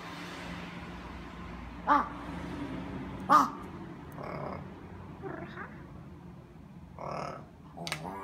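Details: Crow in Japan giving a few harsh, hoarse caws and croaking notes spread over several seconds, two sharp loud ones early, with quieter low background hum.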